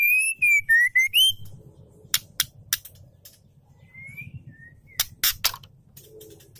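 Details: Female White-rumped shama calling a male, used to provoke males into song: a run of clear, wavering whistles, then sharp dry clicks and snaps between a few softer whistled notes.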